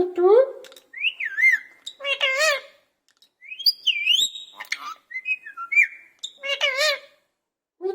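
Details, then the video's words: Caged parrot imitating cat meows and talking: rising nasal harmonic tones alternate with looping whistles that climb and fall, about a dozen phrases with brief pauses. "parrot talking in cage"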